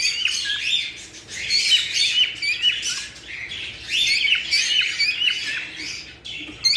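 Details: Mating-stimulation chatter from cockatiels: a thick wash of high chirps, squeaks and whistled slides pouring out almost without pause, swelling and fading in loudness over several seconds.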